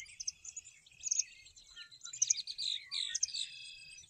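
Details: Several birds singing on a golf course in Morden: overlapping high, bright chirps and warbled phrases, quick twittering notes and short trills layered together with little pause.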